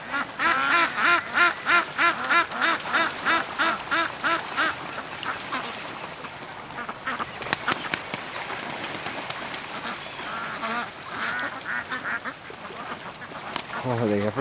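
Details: Ducks raised for charity let out late from their pen for a morning rush to the creek; a loud run of evenly spaced harsh quacks about three per second, then softer scattered quacking from the flock.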